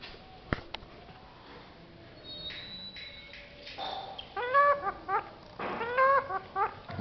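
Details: Pet parrot that talks in four languages. The first half is nearly silent with faint clicks, then come speech-like voiced syllables with bright harmonics in short bursts over the last three seconds.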